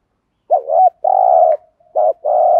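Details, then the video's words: Spotted dove decoy calling to attract wild doves, 'thúc gù' style: a warbling rising lead note into a long raspy coo, then another short-long pair. "chim cu mồi bài bản THÚC GÙ"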